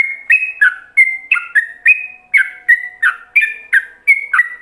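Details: Yellow-vented bulbul delivering rolling ropelan song for other bulbuls to learn: continuous series of rich whistled notes, each rising then dropping, repeated almost three times a second with even loudness.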